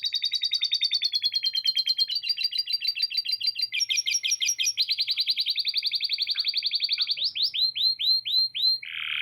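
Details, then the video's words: Canary in long continuous song filled with lovebird chatter. Several fast trills change pitch and speed, then give way to slower, separate downslurred whistles and a final harsh buzzy note. "Kenari Gacor Panjang Isian Lovebird Ngekek PALING JERNIH⁉️ Canary Singing"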